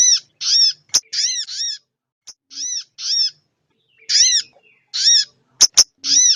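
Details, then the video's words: Female crested jay calling to stir males and raise their arousal; repeated raspy arched notes, paired or single, with short gaps, and scattered sharp clicks. "Suara sogon betina/buat ngecas sogon janta biar yaut buyi/ naikin birahi/emosi"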